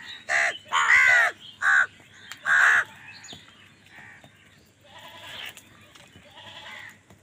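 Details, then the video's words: House crows angrily fighting other wild birds for food: four loud, harsh caws in quick succession over the first three seconds, then fainter scattered calls and background noise. "Angry kawa ki awaaz"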